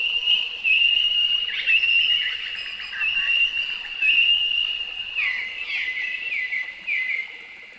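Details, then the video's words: Noisy miner from Australia captured in ambisonic surround: sustained shrill piping broken into long high strokes, then a burst of repeated sharp downward-slurred notes near the end, calls overlapping as if from several birds. "Noisy miner | Australian birds"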